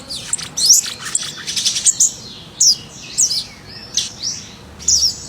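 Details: Wild scarlet minivet in lively song: quick bursts of very high, clipped whistles and short downslurred chirps, spaced roughly every half second to second, over soft ambient noise.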